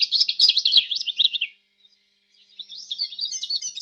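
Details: Canary delivering fast, bright chirping trills for about one and a half seconds, falling silent briefly, then resuming with a softer, higher warbling phrase.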